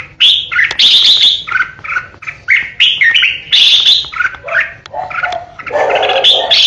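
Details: Red-whiskered bulbul decoy with ché song: rasping bursts and bright whistled notes in rapid phrases, ending in lower, fuller warbling tones.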